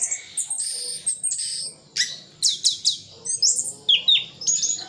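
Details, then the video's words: Orange-headed thrush from Sidoarjo, East Java, singing a full isian-style song kept for tutoring contest birds: bursts of high whistled and buzzy phrases, sharp downslurred notes and rapid trills, separated by brief pauses. "Anis Kembang isian full"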